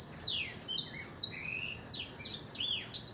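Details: Blackthroat song of spaced, high, clear whistles, some long and level, others swooping down, arriving roughly every half second against a quiet background.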